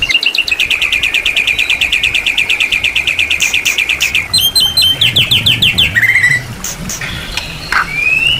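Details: White-rumped shama (murai batu) song, a champion-class bird with full, rich song material: a rapid run of repeated sharp chirped notes for about four seconds, then varied whistles, buzzy trills and a rising whistled note.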